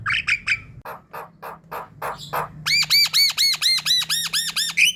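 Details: Lure recording of Javan myna calling, meant to pull in a flock: three quick buzzy notes, a steady string of coarse squawks, then a fast series of bright arched whistles ending in a rising note.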